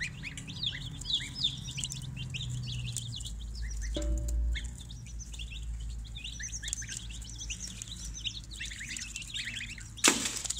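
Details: Baby chickens in a brooder, two batches of hatchery chicks, giving a dense, continuous chorus of high, short, down-slurred peeps, many overlapping, over a low rumbling hum, with a sharp noisy burst near the end.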